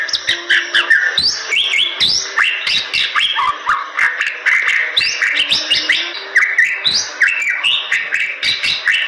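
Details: Bali myna, a songbird endemic to western Bali's forests in Indonesia, singing energetically: dense run of varied whistled and chattering notes, rising and falling slurs and sharp clicks packed closely together, loud and continuous throughout.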